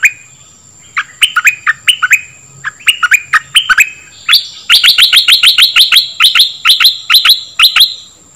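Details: Dok taeng bird singing, played to teach young birds and excite them: spaced, paired chirps that speed up into a long, even series of rapid high chirps, over a faint steady high tone.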